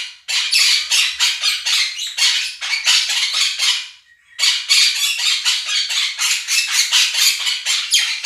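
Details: Pet Quaker parrots, a pair, shouting down a budgie flock recording played to them; rapid, harsh squawks repeated about four times a second in two long runs separated by a brief silence.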